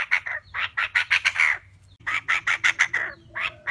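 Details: Female Chinese francolin call used as a lure for bird trapping: two bursts of harsh, raspy notes, each repeated rapidly about six to eight times, separated by a short pause, with a faint low hum beneath.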